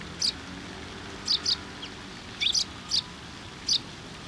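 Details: Sparrows arriving at a post for food at a shrine, 10 October 2023; brief high chirps, some paired, spaced irregularly about once a second, over a constant low hum of traffic.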